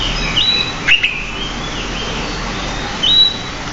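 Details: Pied bushchat (decu) in a masteran recording with lively varied singing; two short, bright, high whistled phrases about two and a half seconds apart, with a faint softer note between, over a quiet hiss.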